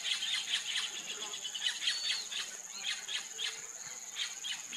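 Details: White-fronted woodpecker (Melanerpes cactorum) calling: short, sharp, bright notes given in loose runs, roughly one to two per second, over a steady high insect whine.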